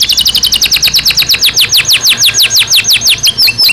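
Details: Canary in a cage during breeding season, singing a steady series of bright, steeply falling whistled notes, roughly three per second, with a high ticking trill layered above.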